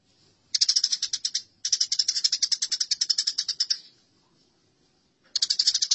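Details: Masteran recording of fighting house sparrows: two loud runs of quick, buzzy, shrill chirps, then a silence of over a second before another burst begins.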